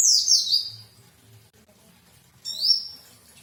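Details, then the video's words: White-eye song with two high, sweet, warbling phrases. Each slides quickly downward, with a quiet gap of over a second between them. "indahya kicauan pleci"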